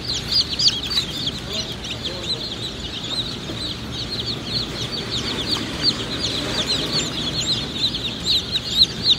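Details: Many Black Australorp chicks at a hatchery chirping together, a dense, fast chorus of thin high peeps that overlap almost continuously, with faint low background rumble.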